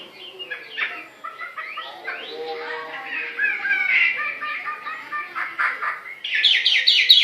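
A Chinese hwamei sings a rich, varied stream of whistled and harsh phrases, with sweeping slurs and rapid chattering notes, ending in loud high repeated whistles.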